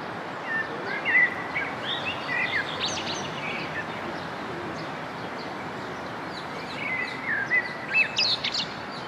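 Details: Rose-ringed parakeet from the introduced population in the Governor's Garden near the old city of Baku, Azerbaijan, giving harsh, high screeching calls in two short bursts, over a steady hiss of background noise.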